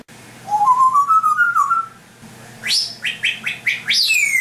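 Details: Pet African grey parrot making sound effects indoors: a wavering whistle rising slowly over about a second and a half, then a run of five or six quick sharp downward-sweeping chirps.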